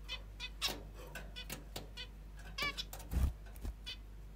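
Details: Pet female zebra finch in the morning, giving a few short nasal, harmonic-rich calls spread across the clip, separated by soft clicks and rustles, over a steady low background hum.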